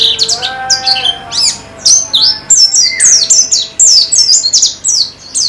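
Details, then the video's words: Pleci (white-eye) song from a contest-simulation therapy track: lower steady tonal notes first, then a dense run of high, quick, downward-sweeping chirps repeating to the end. "Terapi Pleci Cepat Ngalas dan Semakin Gacor"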